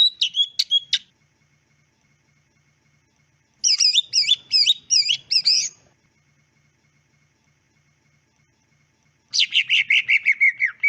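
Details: Greater green leafbird song, three separate short bursts: a brief chattering phrase, a run of quick looping whistles, then a fast descending trill, each separated by several seconds of quiet.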